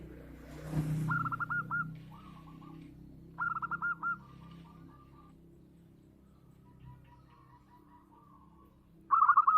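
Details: Local zebra dove, perkutut lokal, known for its big voice: three short bursts of bubbling hooked coos spread across the recording, separated by long quiet stretches over steady low hum and a brief thud.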